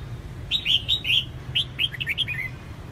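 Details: Female red-whiskered bulbul calling to prompt males to sing, with a few bright slurred chirps followed by a quicker cluster of short descending notes, over a low hum.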